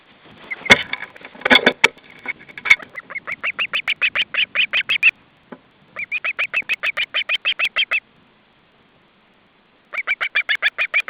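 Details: Osprey at the nest raising an intruder alert in July 2012, the day after the ringing. After some knocking and rustling, it gives long, evenly spaced series of shrill, high piping notes, three runs of about ten to fifteen calls with short pauses between.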